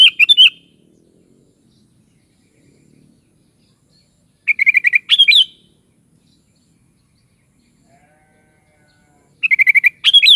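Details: Sooty-headed bulbul (kutilang) sings three phrases roughly every five seconds, each a quick run of repeated chattering notes followed by rolling upslurred whistles, with near silence between.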